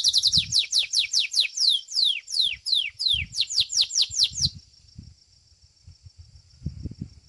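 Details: Domestic Belgian canary in a singing competition, seventh edition: a rapid run of bright descending whistled notes, about two and a half per second, ending in a sustained high trill that fades after four and a half seconds, low thumps beneath.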